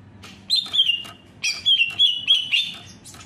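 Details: Greater green leafbird song in two short phrases of bright, falling whistled slurs, separated by a brief pause.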